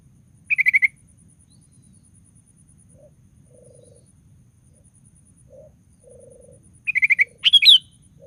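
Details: Sooty-headed bulbul in lively song, used as a lure to set other bulbuls singing. Short rapid chattering bursts of whistled notes open and close, with faint low humming tones during the quiet middle.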